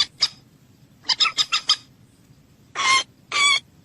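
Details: Common moorhen: two sharp clucks, a quick cluster of four more, then two long, harsh squawking notes in close succession.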